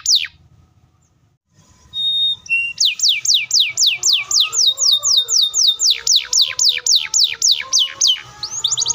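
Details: Canary song with a long, tight rapid roll, played to make young and silent canaries answer: after silence and a few faint whistles, a steady run of steep falling sweeps repeats about four times a second.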